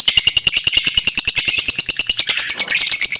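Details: Lovebird chirping: a fast, steady train of sharp clicking pulses, about three or four each second, under a constant shrill, squeaky twitter. The pulses blur into rougher chatter toward the end.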